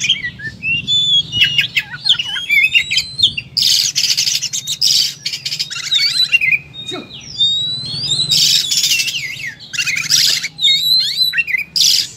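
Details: Kacer (oriental magpie-robin) in full fighting mode spewing its material ('muntah materi'): whistled slurs and twitters broken by loud harsh buzzy bursts repeated several times, with a steady low hum in the background.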